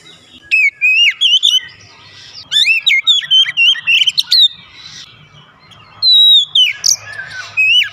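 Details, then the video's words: Oriental magpie-robin, a kept songbird, pouring out three phrases of loud sliding whistles and chirps, each a second or two long, over a faint low background hum. "terapi Kacer malas bunyi sudah pasti langsung gacor"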